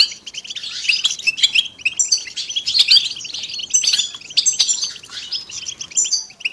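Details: A group of European goldfinches twittering together, a recording meant to stimulate silent males into song: dense, bubbling high chatter with quick trills and bright chirps running throughout.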